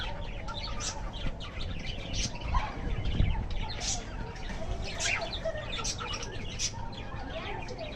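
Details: Budgerigars in a village setting giving scattered sharp chirps and brief squeaky notes at irregular intervals, with wing flutters and a constant low background hum.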